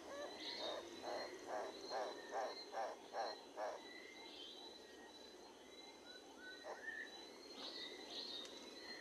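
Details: Livingstone's turaco opens with a rhythmic burst of about nine rough, barking croaks at just over two per second, then falls silent while other birds whistle and chirp softly over a faint hiss.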